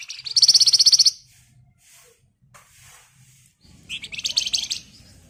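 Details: Javan white-eye singing emotive, rapid ngebren phrases as a lure for songbirds. It gives two bursts of fast, very high, buzzy chatter about three seconds apart, with faint twitters and low hum between them.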